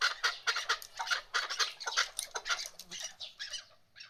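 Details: Calls of a female chukar partridge: loud, clipped chuck notes in an uneven rhythm that soften and thin out after about three seconds, over a faint low background.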